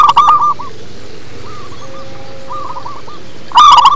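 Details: Local zebra dove in deep manggung song: a loud burst of clipped coos at the start and end, with a soft string of staccato coo notes in between.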